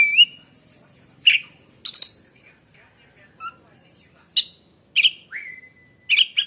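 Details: Oriental magpie-robin from Indonesia with scattered sharp chips, short whistles and one falling slurred note separated by pauses, a person saying "wek" afterward.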